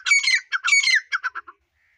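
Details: Female grey francolin of the Dakhni type calling: a harsh, squawking series of rasping notes, the first ones long and grating, then a handful of shorter clipped notes fading out within about one and a half seconds.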